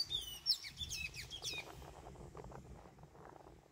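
A tanager gives a quick burst of high, squeaky, sweeping notes for under two seconds, then falls silent over a low background hum.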